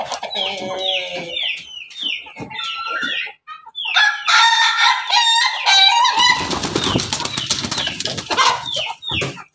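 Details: Red-combed crossbred rooster, pelung with Bangkok and ketawa blood, farm in Banguntapan, Jogja; chopped laughing crow notes descending in steps, then a long loud crow with noisy background clatter and further crows from other birds.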